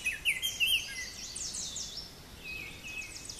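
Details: Baltimore oriole in Stokes State Forest, New Jersey, at the NJ School of Conservation in May 2016, giving a few clear, slurred whistled notes, rising and falling, with thin high chirps of other birds behind.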